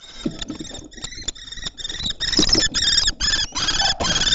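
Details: At a Théding nest box on 20 March 2024, two male common kestrels fight for possession, an adult against a juvenile-plumaged male, with a female nearby. Rapid shrill, ringing call bursts come about twice a second over thumping and scratching.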